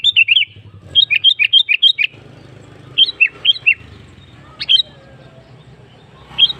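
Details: Sooty-headed bulbul lure song: repeated quick phrases of bright, bubbly rising and falling notes, several in rapid series, with a steady low hum running underneath.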